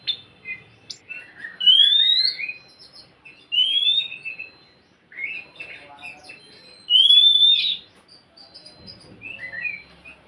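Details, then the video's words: Oriental magpie-robin song played to coax a quiet bird into singing: scattered rising whistles and soft warbled phrases at moderate volume, broken by pauses, over a light background murmur. "Siulan KACER untuk kacermu yang malas bunyi"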